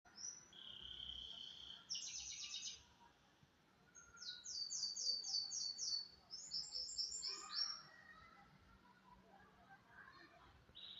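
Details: Goldy canary singing during a morning training session on Tuesday, 25 November 2025: bright, high trills of rapidly repeated notes in short bursts, some buzzy and some whistled, with quiet pauses between phrases and a faint low background hum.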